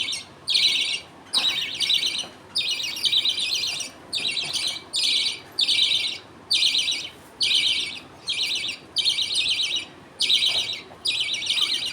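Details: Pet budgerigars at feeding time: a father feeds millet paste to two chicks, the mother watching and others waiting. Harsh, high chatter comes in regular bursts about once a second, each separated by a clear pause.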